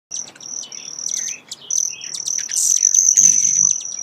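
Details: Broad-tailed hummingbird: sharp, very high chip notes over a thin, steady, shrill high-pitched trill that runs almost unbroken through the clip, with brief gaps.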